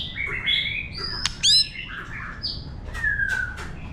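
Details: Wild-voice song of a White-rumped shama for stimulating birds: slurred whistles, a loud upward sweep, and a long falling whistle near the end against faint background hiss.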